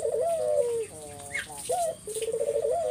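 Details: Spotted dove song played as a lure to draw replies from other doves: a smooth falling coo, a soft hollow phrase, then a brief upward-sliding note leading into a long, trembling, pulsed coo over faint background hiss.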